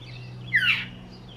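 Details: Northern Mockingbird perched on a home roof in Yukon, Oklahoma, giving one harsh, raspy call note over a faint low hum, not singing; the recordist thinks he was protecting a nearby nest.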